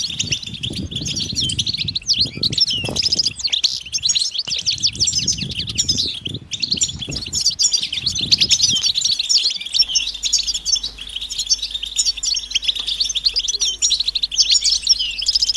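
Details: Mating and readiness calls of European goldfinches: a continuous high, busy twitter of short tinkling notes from several birds, with bursts of low thumping or fluttering early on that fade after the middle.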